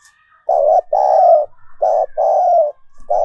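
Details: Spotted dove decoy cooing meant to stimulate other doves to coo: low, burry, rolling coos in paired phrases, a short coo then a longer one, repeating, with a faint high tone above.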